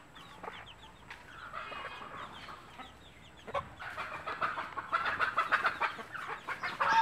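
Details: Native mother hen and chicks at food, the hen clucking to show what is good to eat; busy mix of thin falling chick peeps and rapid clucking notes that grow louder.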